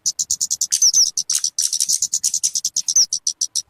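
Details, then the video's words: Talokan, known as kemade, useful for luring or as a master for caged birds: even, rapid string of high clipped notes, a few slurred whistles woven in around the first second and near the end. "SUARA BURUNG TALOKAN/KEMADE COCOK BUAT PIKAT ATAU MASTERAN"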